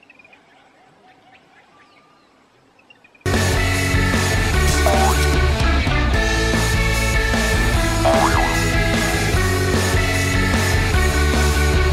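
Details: A few seconds of faint near-silence give way to loud, dense rock music with heavy bass and drums; no animal voice stands out.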